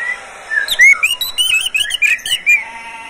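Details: Oriental magpie-robin kept in a cage, singing for use as a tutor recording; a soft whistle, then a lively burst of rising and falling whistled notes and chirps lasting about two seconds.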